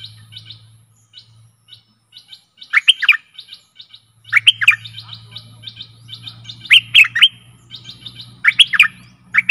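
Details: Stripe-throated bulbul singing as a decoy for fierce wild birds: soft scattered chips, then loud bubbling phrases every second or two, with a steady low droning hum underneath.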